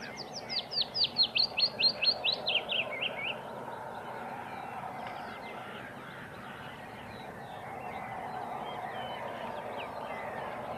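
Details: Wood warbler song, intended as a lure for other birds. It opens with a fast, regular burst of about a dozen sharp descending notes that drops slightly in pitch. It then fades to faint, distant chirps over a steady background hum.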